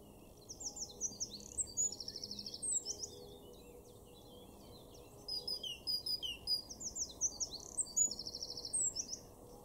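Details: Eurasian wren singing in a garden in Weener, East Frisia, northwest Germany, April 2024: two loud, high, rapid bursts of trills and chattering notes, each three to four seconds, over a steady low rumble.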